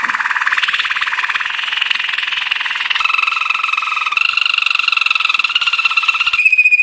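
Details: Rolling, bubbly song of a Belgian Waterslager canary used for training: a long unbroken rapid trill shifting up through several pitch steps, closing on a thin clear whistle.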